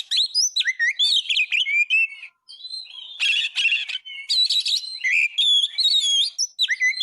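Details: Oriental magpie-robin (kacer) in full 'gacor' song, used to tutor other birds: a fast run of sliding whistles, then dense rasping bursts, then clearer looping whistled notes.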